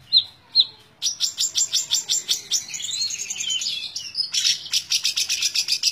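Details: Long-tailed shrike (cendet) in tembak ngebren style: two clear whistled notes, then a fast, unbroken run of sharp, scratchy, high notes and warbled phrases, repeated several times a second with barely a pause.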